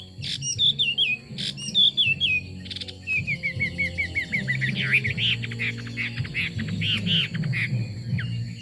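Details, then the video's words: Chinese hwamei song with sharp clicks and a few looping whistles, then a rapid descending series of short notes followed by buzzier, broken phrases. A low rumbling hum continues throughout. "Họa mi hót"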